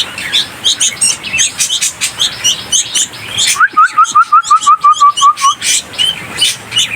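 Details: A hand-raised young bulbul on a balcony begs at 8 am on its fourth day in care. Hungry, it flaps its wings and gives sharp, rapid chirps and a run of about ten even notes amid other bright chirps.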